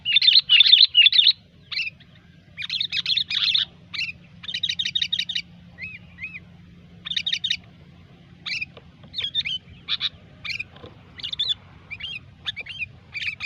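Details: Sooty-headed bulbul in a continuous chattering gecor-style song used for luring birds: bursts of sharp, rapid, looping notes, often in quick stacked series, separated by short pauses. Low steady hum underneath throughout.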